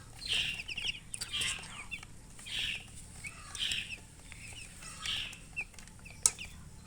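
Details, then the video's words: Coloured chickens make bright, high chirps grouped in short bursts about once a second, each burst a quick run of peeps, against a low steady background hum. "silly chicken chirping sounds with murgi hen color chicken"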